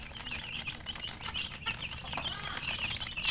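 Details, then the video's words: Several chicken chicks chirping: a busy stream of thin, high, slightly rising peeps, several each second, with faint rustling and low background noise. "Murgi chicks Chirping sounds"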